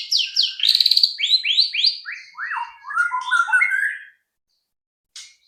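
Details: White-rumped shama song played as a lure to get other shamas to sing fast: a dense, rapid stream of falling whistled slurs and rattled high notes that steps lower over four seconds, then a single short chip.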